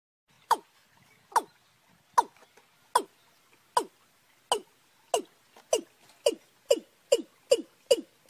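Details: Watercock calls, young and wild birds combined, recorded in March: sharp, downward-sweeping knocking notes repeated about every 0.8 seconds, quickening toward the end of the series.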